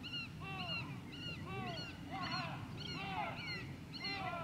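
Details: White-tailed eagle calling at Grönvik on Ornö, 16 July 2024. Arched, yelping notes with strong overtones come in a quick, uneven series, several overlapping, above a constant low background rumble.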